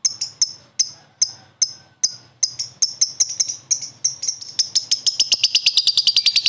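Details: Promising lovebird quickly joining in and answering another with a long ngekek: evenly spaced sharp high chirps accelerating into a fast, continuous chattering trill.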